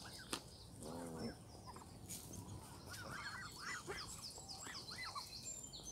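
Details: Canada goose goslings, grown up, at Longton Park in Stoke on Trent, June 20, 2022. A nasal honk opens, followed by a string of high, arched whistled peeps, with higher bird chirps above.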